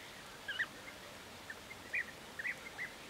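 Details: European bee-eater in May 2023 giving short, burry mid-pitched calls, about six in three seconds, some doubled, against quiet background hiss.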